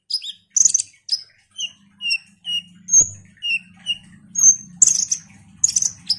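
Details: Ruby-cheeked sunbird singing a run of short, high, slightly falling whistled notes spaced about half a second apart, broken by sharp louder chips, over a faint low hum.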